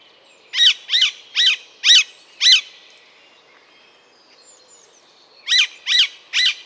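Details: Alexandrine parakeet giving five loud, grating screeches at a steady pace, a quiet gap of nearly three seconds, then three more matching calls.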